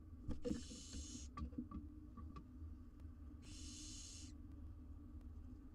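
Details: Four wild barn owl nestlings huddle in a camera-monitored research nest box in Israel while their mother is away. Two long, harsh, breathy hisses, each about a second, are separated by a quiet gap, with faint soft rustling in between.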